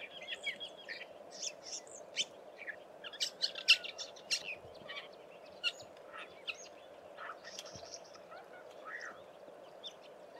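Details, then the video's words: A lesser grey shrike, a rarity in the Eastern Cape, sits on a phone wire watching for prey on the ground and gives a soft, rambling subsong of scratchy, varied chirps and short twitters in quick irregular bursts over a steady low hum. "Lesser Grey Shrike singing a soft subsong"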